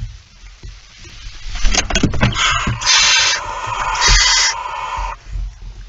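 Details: Barn owl at its nest with prey shortly after midnight on 23 September 2019; rustling and clattering at first, then two long, rasping hisses lasting over a second each, with a faint background hum.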